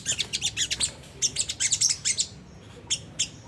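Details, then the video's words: Lure song of a Sunda whistling thrush in rough ngriwik style, played to make caged birds sing: rapid sharp chirps about five per second, then a pause and two lone notes. "pancingan jernih suara sogon ngriwik kasar nembak gacor"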